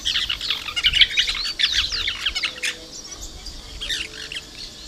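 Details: Plain parakeets recorded 2 December 2012: a burst of shrill, scratchy chattering notes and slurred squeaks that fades after about three seconds into quieter distant chips.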